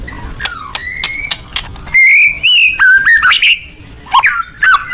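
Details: Loud song of a white-rumped shama (murai batu): a few sharp clicks, then long sustained whistles and wavering warbled phrases, ending with more rising notes.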